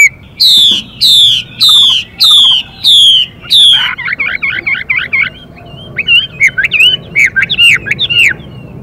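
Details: Chinese hwamei pair: six raspy, descending 'xùy' notes from the female to stimulate the male, followed by his bubbling, looping whistled trills and scattered clear phrases.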